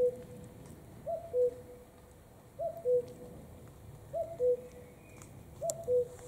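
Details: Common cuckoo repeating its clear, low, two-note call, first note higher, second lower, in a regular series of about five phrases spaced around one and a half seconds apart.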